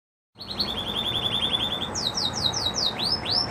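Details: Red Agate canary happily singing a rapid trill of high, clipped notes, then shifting to a series of sweeping whistled phrases, over a steady background hiss; Belgian canary.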